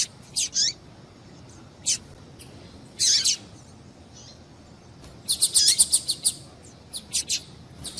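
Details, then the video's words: Female double-collared seedeater calling to stimulate male song: isolated thin high chirps with gaps, then a rapid cluster of bright chirps and down-slurred notes, a few spaced chirps after, over light hiss. "Piado de Fêmea de Papa capim para Esquentar Papa capim"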